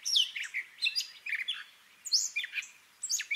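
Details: Short burst of Gray catbird mimicry: a few squealing, slurred notes and harsh chips, then a pause and more whistled fragments.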